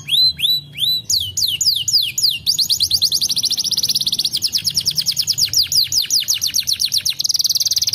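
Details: Canary song opening with a few high, down-slurred whistles, then moving into long rapid trills of repeated swooping notes that change speed and pitch, over a faint low hum.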